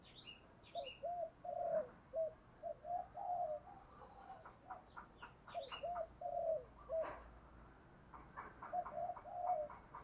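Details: Spotted dove used as a decoy, calling the flock in the morning: soft, low cooing phrases repeated through the recording, with faint higher chirps from other birds and steady background hiss.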